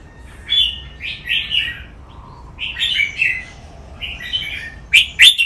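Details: Song-training recording of a caged red-whiskered bulbul, playful phrase-counting style: short, liquid, chirping whistle phrases repeated about every second, and a sharp, clipped double note at the end.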